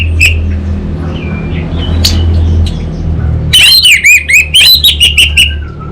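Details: Caged orange-headed thrush in Singaraja, North Bali: scattered soft notes give way to a fast, loud series of repeated looping whistles in the 'kabel konslet' style, ending with a falling note, over a low hum.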